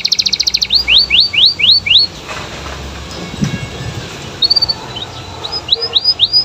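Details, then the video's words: Canary singing to provoke other canaries into replying: a fast trill, then a row of rising whistled sweeps about three per second, a pause with faint background, and the sweeps starting again near the end. "Suara Kenari Gacor Bikin Kenari Lain Terpancing Untuk Nyaut"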